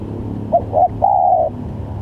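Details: Spotted dove lure call for bird trapping: one low cooing phrase of two brief notes followed by a longer level coo, over a faint constant hum.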